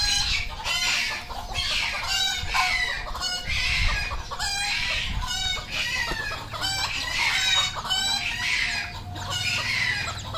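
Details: Red junglefowl on a farm in Cambodia: harsh, harmonic-rich crowing calls repeat almost without pause, several birds overlapping, each call a bright strained burst, with low rumbling background noise throughout.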